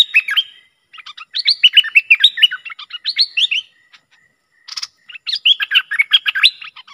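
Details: Streak-eared Bulbul, a lure bird worked up against rival wild birds, pouring out bubbly chattering phrases of rising and falling notes, broken by a short gap with a faint rustle.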